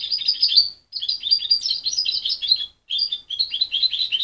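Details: Dense rapid twitter from a juvenile goldfinch mule raised by its mother and separated at 23 days; two long runs of high, slightly buzzy notes broken by short silences.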